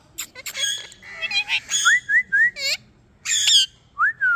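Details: Blue-coloured Indian ringneck parrot, described as talking: a busy run of harsh harmonic squawks, then a series of short rising-falling whistled notes repeated about every half second, ending in a drawn-out downward-sliding whistle.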